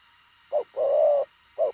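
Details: Spotted dove cooing in the fast thổ khàng style: a short low note, a gap, then one long steady hooting note, with another short note starting at the end. The background is quiet.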